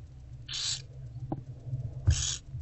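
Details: Owlets of the barn owl being fed by their mother in a box in daylight, 15 February 2024: two coarse hissing screeches about 1.5 seconds apart, a brief click between, steady hum below.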